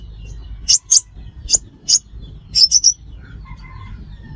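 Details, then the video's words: Five-coloured sunbird, a local name for a sunbird, recorded as a lure for trapping: isolated sharp high chips, then a quick triplet, followed by faint softer whistles from other birds over low background noise. "Tiếng chim hút mật 5 màu"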